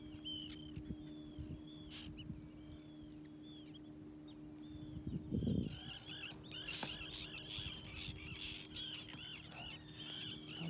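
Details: Calls of 24 Common terns on a reef at Stornäset, Alnö, 18 July 2023: harsh, down-slurred calls repeat every second or so, then swell into an overlapping chorus, over a steady low hum and wind rumble.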